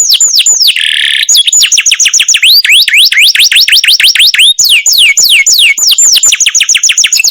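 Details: Canary trained in the masteran style sings rapid rolling series of descending whistled sweeps, broken early by a short harsh buzzy burst, then repeated clear chirps at a steady quick pace.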